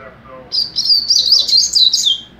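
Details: Young double-collared seedeater giving mateiro song: a continuous run of high, warbling, slurred whistles lasting about two seconds, with faint low sounds before it begins.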